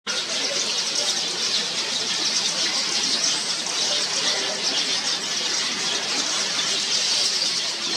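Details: Yellow weaver birds at a Mombasa, Kenya colony, one tree holding over 100 nests, early morning, busy building and repairing nests and feeding young; dense, unbroken chorus of high chattering, squealing and chirping from many birds.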